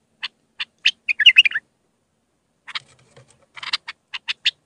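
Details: Iraqi bulbul in raw Mandalawi-style song, used for tutoring young bulbuls: short chirped notes, then a rapid rolling warbled phrase, a pause, and more spaced sharp chirps, all clean and bright.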